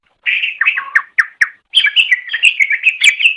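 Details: Leafbird master song for training kept birds: a loud slurred whistle dropping in pitch, two sharp clipped notes, then a fast, bubbling run of chirps and trills.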